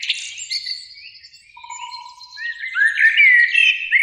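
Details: Two Eurasian blackbirds singing in spring, high in a flowering beech tree beside a lake in evening sun; warbled mid-pitched phrases blend into thin high twittering, with a steady low whistled tone partway through.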